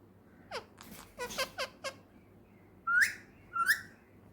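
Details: Male ringneck parakeet, a household pet, gives several short falling squeaky syllables, then two rising whistled notes, over a low steady indoor hum.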